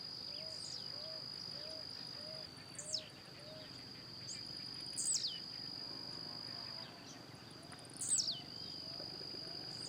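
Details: Blue-black grassquit singing and leaping in natural surroundings: three brief, explosive, down-slurred notes spaced two to three seconds apart. A steady high insect whine continues, and soft low hooting notes come from another bird early on.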